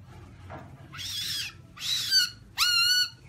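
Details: Black-throated laughingthrush, white-cheeked form, giving two harsh, scratchy bursts followed by a pure, slightly wavering whistled note lasting about half a second.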